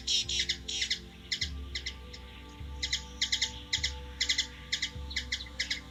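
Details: A hummingbird in Washington DC, USA, gives high, dry chips in quick clusters of two to four, repeated every second or so, over low regular thumps and a faint steady hum.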